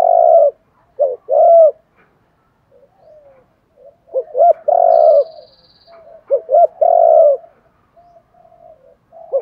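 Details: Spotted dove giving urging, calling coos meant to spur wild-caught birds into calling. Phrases of two quick soft notes lead into a long, rich, burry coo, repeated three times. Quiet faint notes fill the gaps, and a thin high buzz is heard briefly.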